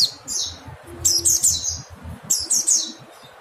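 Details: Mountain white-eye calling in three bursts of sharp, high, downslurred chirps, each burst a rapid run of several notes, with a faint low hum underneath.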